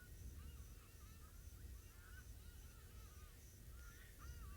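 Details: Many hadada ibises on an African safari give loud, nasal, honking "haa" calls in repeated bursts at dusk, distant but approaching and getting louder, over a steady low engine rumble.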